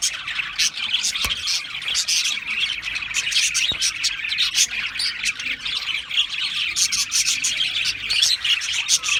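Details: A flock of Australian parrots keeps up a busy stream of high, sharp chirps and short squawks over about nine seconds, overlapping calls forming a steady twittering din.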